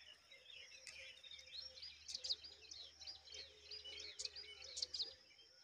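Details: Rock chat mother bird caring for her chicks; high thin twittering notes in short bursts, a few sharper chirps standing out, over faint low background noise.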